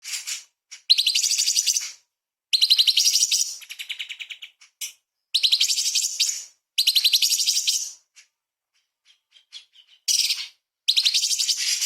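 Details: Sooty-headed bulbul (cucak cungkok) singing energetically as a tutor recording for training songbirds: harsh, dense, buzzy high-pitched bursts of rapid notes about one to one and a half seconds long, separated by short pauses, with faint chips between.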